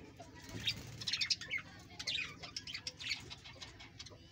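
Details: Australian parrots in a household breeding colony, a rapid stream of high, twittering chirps from multiple birds, rising and falling in loudness.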